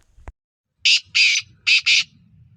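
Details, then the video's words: Kala teetar, the black francolin, calling in February 2025: after a brief click, two pairs of loud, coarse, grating notes ring out over about a second, with a soft low rumble underneath. "kala teetar ki awaz | black francolin voice | kala teetar | black teetar ki boli | teetar voice"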